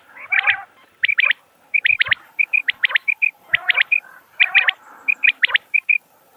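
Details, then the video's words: Common quail calling: crisp, liquid triple-note phrases of short high chirps, repeated roughly every half second to second over a quiet background with no other sounds. "بٹیر کی صاف آواز | Common Quail Calling Sound"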